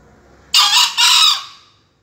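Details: Dawn crow of a young green junglefowl, a top-ten contest finalist from Surabaya, recorded 28 February at about 5 a.m.: a sharp raspy first note and a longer, gradually fading second note, against a quiet background.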